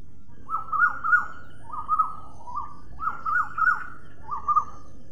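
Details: A parrot utters a few grating, chattering notes in quick pairs and triplets, pausing briefly between groups, with a quiet low hum behind.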